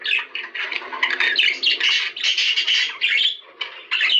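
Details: Cage budgerigar song played to encourage birds to mate: busy, harsh chatter and squawky trills packed into fast bursts, with a short clear whistle near the end and a brief lull before the chattering resumes.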